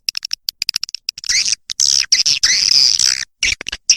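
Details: Lure sound for attracting swiftlets: a quick run of sharp, evenly spaced high clicks, then sustained shrill, slightly wavering chatter with short breaks.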